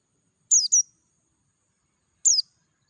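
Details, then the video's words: Wild Dakun-type Oriental white-eye in natural surroundings: a quick pair of sharp, high, falling chirps, then after a long pause a single clear descending note; otherwise quiet. "PLECI DAKUN NGALAS SUARA JERNIH"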